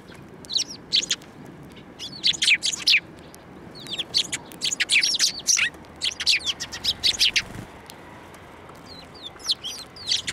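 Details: Sparrows flying to a person's hand for food at Tenmangu shrine on 15 March 2024; a steady stream of overlapping chirps and thin twitters from several birds, with a low thump midway.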